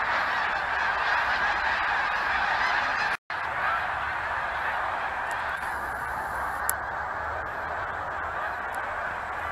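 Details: Huge annual flock of geese honking together in a thick, unbroken chorus, interrupted by one brief dropout.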